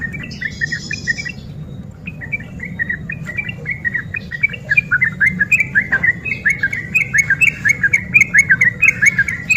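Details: Sooty-headed bulbul, an excited, keen singer in ropel style used to goad lazy birds: a brief high buzzy rattle, then hurried liquid whistled notes that grow louder and denser, with faint clicking taps and a low hum behind.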